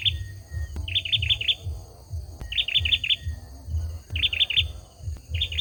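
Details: Male olive-backed sunbird repeating a quick phrase of four sharp, sweet notes roughly every one and a half seconds, accompanied by occasional clicks and a low rumbling background.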